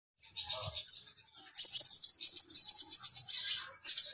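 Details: Mountain white-eye in full song: high, thin twittering phrases, then a rapid run of bright chirps repeated several times per second, with short pauses between bursts.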